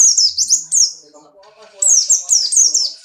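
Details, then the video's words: Buxtoni white-eye in strong breeding condition, caged and leaping: quick series of high, sharp downward-sliding notes, a brief lull with low background murmur, then another rapid run of falling notes. "burung pleci Buxtoni birahi kencang loncat indah nembak"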